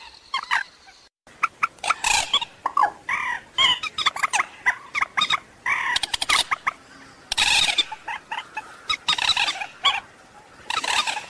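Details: Waterhen calls used as a lure for night bird trapping: dense bursts of harsh, clucking notes with bright overtones, tumbling irregularly and rising in loud clusters, with short pauses between.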